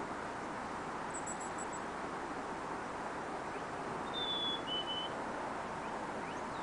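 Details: A Black-capped Chickadee sings at Bassett Creek around 8 am on March 6, 2013, a single clear two-note whistle, high then lower, over steady traffic-like rushing noise, with faint high chips earlier.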